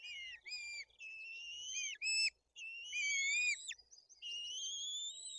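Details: White-tailed eagle nest in Tuchola Forest during a fish delivery and chick feeding, with the older chick aggressive; long high whistles in near-continuous sequence, each held steady or slowly rising, broken by brief sharp squeals and short pauses.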